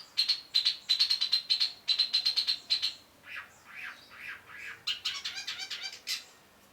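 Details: Cendet, the long-tailed shrike, in energetic 'gacor' song: a fast series of sharp, high notes repeated steadily, then a burst of raspier, descending and rising chattering phrases.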